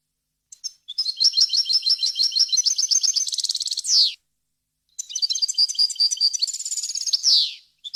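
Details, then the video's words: European goldfinch song on a recording made for teaching young birds, clean and error-free: rapid tinkling twittered phrases with trills, each ending in a harsh descending buzzy note, two phrases split by a short pause. "غناء طائر الحسون ، صوت صافي وخالي من الاخطاء لتسميع الفراخ"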